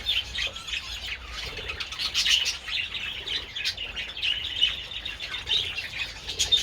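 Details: Budgerigars enjoying treats in the sun on 27 February give a constant high twittering chatter with short squeaky notes, occasional sharper chirps, and soft wing flutters.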